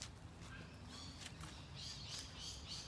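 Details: Lorikeets screech shrilly in a quick run of four short bursts from eucalyptus trees at Springvale Cemetery, Melbourne, Australia, on Mother's Day, 9 May 2021. A low rumble of wind and outdoor noise runs underneath.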